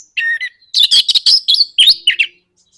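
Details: Caged orange-headed thrush singing a lure song meant to provoke other birds into singing: a whistled two-note phrase, then a rapid jumble of sharp chirps and high buzzy notes.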